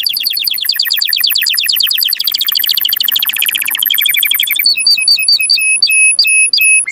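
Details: Canary song for stimulating breeding: rapid rolling trills, a denser buzzy passage, then clear evenly spaced clipped notes repeated about three times a second.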